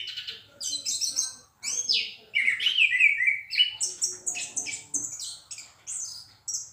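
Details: Orange-headed thrush song, loud and clear: descending slurred whistles followed by a series of high, clipped repeated notes.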